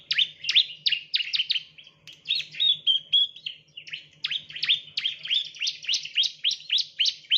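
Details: Bar-winged prinia (ciblek), Prinia familiaris, recorded as a lure for training birds: rapid sharp chirps repeated about three or four per second, with short buzzy trills in the middle, over a faint low hum.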